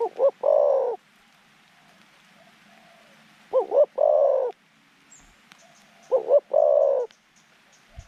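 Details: Zebra dove kept as a decoy for luring wild doves: phrase of quick stuttered notes followed by a long burry rolling coo, repeated three times about every three seconds, with faint distant coos between.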